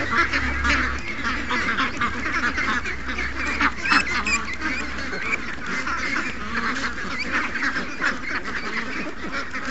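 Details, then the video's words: Young ducks and hundreds of other ducks and geese in a morning rush, quacking in a constant overlapping chorus with bursts of louder calls and a low rumble beneath. "Young Ducks Not In A Rush... 700+ Ducks & Geese Morning Rush"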